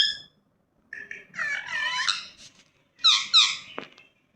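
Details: Pet ringneck parrot making squeaky, warbling chatter followed by two sharp, rising screeches and a brief click, with short silent gaps between the phrases.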